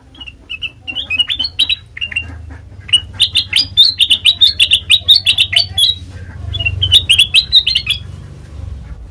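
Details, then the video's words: Black-crested bulbul, a trapping-lure recording: scattered whistled notes build into a long, rhythmic run of loud chirps at a steady quick pace, then a pause and a final burst of rising notes, with a soft low hum underneath. "Suara Asli Kutilang Emas Pancingan Pikat Masteran"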